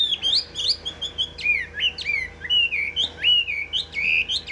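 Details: Loud-voiced tame Chinese hwamei, yellow-legged and yellow-billed, kept in a cage: a rich run of varied whistles, rising and falling slurs strung quickly together with scarcely a pause.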